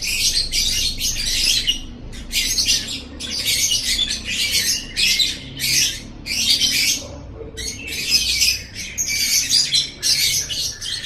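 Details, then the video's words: A lovebird keeps up dense, high, scratchy chatter in tightly packed bursts with only brief breaks, on a tutor recording for training caged lovebirds' song. "Masteran Suara Burung Love Bird 7"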